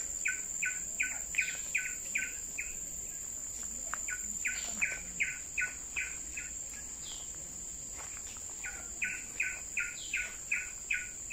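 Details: Coppersmith barbet at Bukit Brown forest, Singapore, on 12 September 2021, giving a steady series of mellow, hollow 'tuk' notes, about two or three a second, over a continuous high insect drone.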